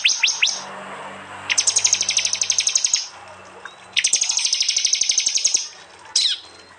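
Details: Prinia singing in the loud rapid-fire 'tembakan' style, recorded on an Android phone in East Java and blended with other prinia songs as a tutor recording for cage birds. Two long bursts of fast, sharp high notes, about four per second, with short gaps.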